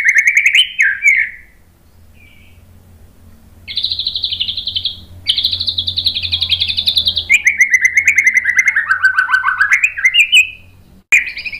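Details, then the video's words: White-rumped shama, used as a training call to provoke other birds, singing a varied song: short whistled phrases, then long rapid trills held high, sliding into a wavering descending whistle, ending with an abrupt rising note. "MASTERAN MURAI BATU biar EMOSI NYAUT jadi GACOR BONGKAR TEMBAKAN ¦ PANCINGAN MURAI"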